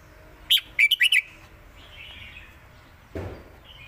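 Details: Red-whiskered bulbul, a caged songbird in Thailand, singing 'lak wai' and southern 'mae bot' styles: one ringing note, then four quick, bright whistled notes; a dull thump follows near the end.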